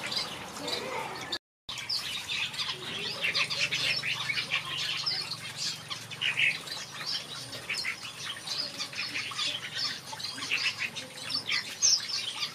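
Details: Several finches in a backyard aviary chirp and twitter nonstop in a dense, high-pitched chorus. A short gap of silence comes near the start, and a faint low hum runs underneath.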